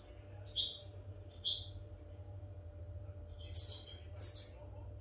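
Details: European goldfinch phrases meant to train captive goldfinches: four sharp, high, buzzy chirps in two spaced pairs, with silence between, over a faint hum.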